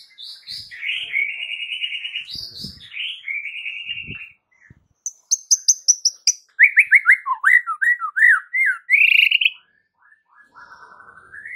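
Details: Masteran song of a white-rumped shama to trigger responses: stuttering whistled phrases with trilled endings, a high piping note series, a rapid run of rising slurred notes, then a soft closing trill; occasional faint thumps.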